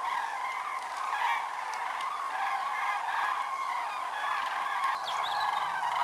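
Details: Huge migratory flock of common cranes, over 206,000 birds, at Lac du Der-Chantecoq in Champagne-Ardenne, November 2014: unbroken din of many overlapping bugling calls, even in loudness from start to end.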